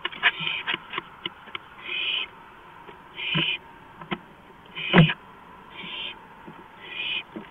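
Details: Owl on a porch at 2:05 AM on April 5, 2015, making irregular breathy hisses of varying length, mixed with many sharp taps and a loud thump near the middle, over low hum.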